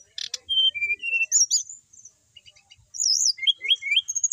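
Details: Kept brown-chested jungle flycatcher from Bali, a settled bird that keeps singing whatever is done to it: clear flat whistles, then high wavy slurred notes and a run of quick rising-falling whistles.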